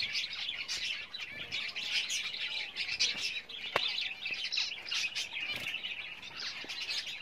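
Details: Java sparrows kept as pets and building a nest for breeding: repeated high chirping and twittering throughout, with occasional sharp clicks and fluttering.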